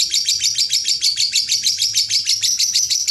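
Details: Lovebird in long ngekek style for competitions, a dense, rapid high-pitched chatter pulsing about three times a second with no breaks, loud and steady throughout.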